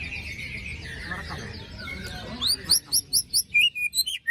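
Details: White-rumped shama lure song for birds gone silent after moult, in besetan style: after a muffled, noisy opening, a fast run of sharp, high slurred notes repeated roughly every quarter second.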